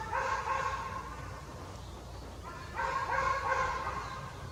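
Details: Young forest jay that has left the nest, calling with two coarse, buzzy bursts about two seconds apart, each roughly a second long, against steady low background noise.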